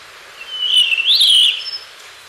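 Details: A single melodious whistle from a blue rock thrush, starting steady, dipping, then swelling into a rising-falling warble about a second long.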